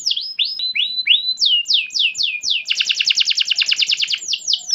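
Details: Canary lure song meant to set house canaries singing: rising whistled notes, descending slurred syllables, then a very fast, dense trill before a few closing sweeps.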